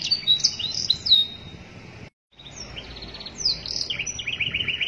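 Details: Canary master song for training: bright chirped phrases, a brief full silence, then a soft trill, a buzzy swell, and a lower run of repeated rising notes.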